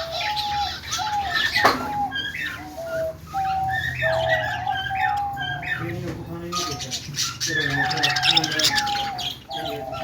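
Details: Budgerigars singing and chirping happily: ten seconds of lively warbled chatter with sliding whistles, a sudden loud scratchy burst near the start, and a noisier patch of overlapping squawks toward the end.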